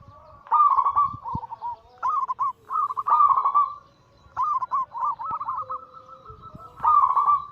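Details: Zebra dove cooing song from kept local and Bangkok-cross perkutut: long, flowing phrases of stuttered coo notes rolling into trills, with faint second-bird notes beneath and a soft pause midway.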